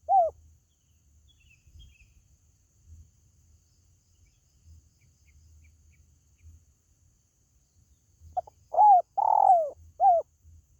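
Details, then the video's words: Spotted dove call for attracting pet birds: a lone short coo opens, a long quiet stretch follows, then one full phrase near the end with soft clipped notes, a warm rolling coo and a short final coo. "SUARA PANGGILAN BURUNG TERKUKU"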